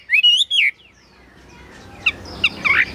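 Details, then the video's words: Chinese hwamei kept caged in Vietnam: one bright, slurred whistled phrase rising and falling, then near silence and a few short, sharp chirps. "Họa mi dáng ngũ trường, bóng bộ cực đẹp, hót cao cầu"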